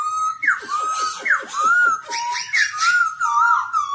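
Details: Black-throated laughingthrush singing while dancing, a song played to train young birds to sing: loud, clear mid-pitched whistles that slide and waver, broken by quick falling rattled strokes and rising swoops, phrases following closely over a quiet background.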